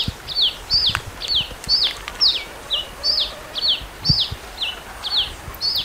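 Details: Red-capped cardinal song: a steady run of about a dozen bright, high whistles, each dropping sharply in pitch, delivered roughly twice a second over a quiet background.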